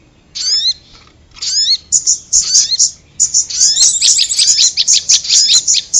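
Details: Prinia lure recording that also includes korlap: it opens with two separated sets of clear rising whistles, then breaks into fast, dense, shrill chirping.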